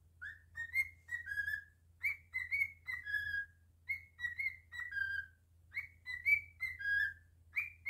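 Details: A cockatiel kept as a pet whistles its tune again and again, each phrase a string of bright rising notes ending in a drawn-out lower whistle, about every one and a half seconds, with steady low background hum.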